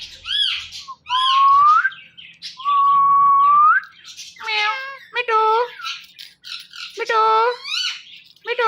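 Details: Talking Indian ringneck parrot gives two long, slowly rising whistles, then a run of nasal, harmonic speech-like syllables in short, uneven bursts, with quiet pauses between.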